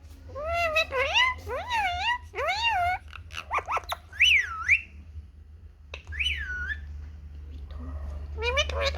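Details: Indian ringneck parakeet, a pet in a happy mood out in the sun, chatters in a rapid series of high, looping, whistle-like speech sounds, each wavering up and down, with short gaps and a steady low hum behind.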